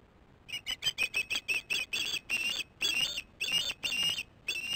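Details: Osprey chicks working on their nest, captured by a nest camera on 8 June 2015 in the evening: quick high piping notes that slow into longer, strained, squealing calls with short gaps between them.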